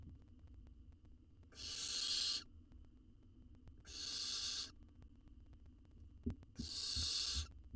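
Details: Nestling owl in a monitored wild nest box in Israel, being fed and gulping down a jird whole; three harsh, breathy screeches repeated roughly every two and a half seconds, with sharp knocks and scuffing near the end.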